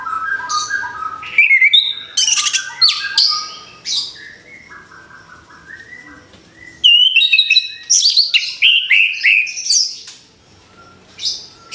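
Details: Orange-headed thrush, caged and newly moulted, sings in bursts. Mid-pitched whistled phrases and high sharp sweeps alternate with quiet gaps, ending in a fast run of rising notes.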